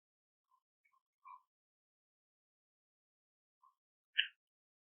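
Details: Red-flanked bluetail giving its call notes: a few soft, short ticking notes, then one louder, harsh, buzzy "jit". Long quiet gaps separate the notes, with no other sounds.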